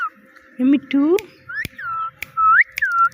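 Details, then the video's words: Pet parrot talking, repeating words like "Mitthu" and imitating a cat's "meow": short nasal voiced syllables followed by clear whistled rising and falling notes, with faint clicks between. "Funny Parrot Talking – Mitthu Mitthu Moments!"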